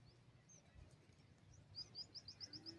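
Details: Francolin chicks giving a rapid series of thin, high chirps, sparse at first then quickening into a regular run of sharp peeps toward the end, over a low background rumble.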